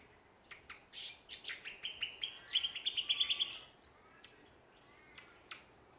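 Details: Songbirds calling in a backyard at Ballajura, WA, Australia: a quick series of high chirps building into a rapid, bright trill midway, followed by a few sparse notes.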